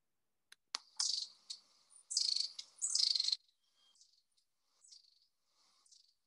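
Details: Long-tailed tit in England giving high, thin, buzzy calls in short bursts over a few seconds, then softer scattered notes, after a couple of sharp clicks.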